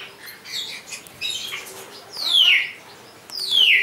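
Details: A captive blue-bellied roller (Coracias cyanogaster) at a bird park on Texel, Netherlands, gives two harsh, rasping calls that slide downward about a second apart, after fainter chattering notes.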